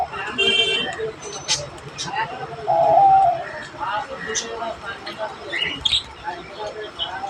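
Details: A pet Diamond dove in a pigeon house gives a single soft, hollow coo, low and drawn out. High chirps from other small birds and background voices are also heard.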